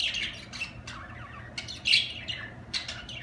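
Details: Budgerigar warbling: rapid, scratchy chirps slide up and down, with one brighter squeaky note standing out near the middle.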